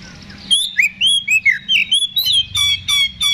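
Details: Oriental magpie-robin's fighting song, played to rouse an answering bird: loud, clear whistled phrases with rising and falling slurs, followed by quick repeated sharp notes in a lively, varied sequence.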